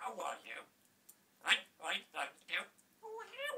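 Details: Pet African grey parrot talking indoors: a run of speech-like syllables in several short bursts, ending with a higher, nasal, tonal phrase.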